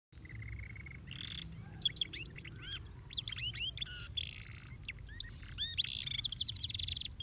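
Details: Canary song, very fast, played to stimulate lazy canaries to sing: high chirps, sweeping whistled notes and a fast rattling trill near the end, with short pauses between phrases over a low background hum.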